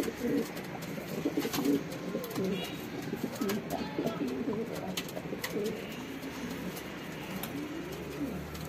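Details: Pigeon mating: repeated low, rolling coos that rise and fall, uttered almost continuously, with occasional sharp clicks and light rustling.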